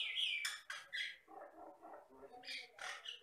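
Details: Jalak Batam myna of the Indonesian Riau Islands singing bright slurred whistles and harsh notes, with a lower gurgling chatter in the middle.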